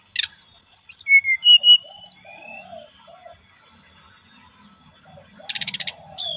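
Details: Brown-chested jungle flycatcher giving a relaxed lure song: a run of clear, high whistled notes and short slurred phrases over two seconds, a quiet pause, then a dry buzzy rattle and a final sharp note.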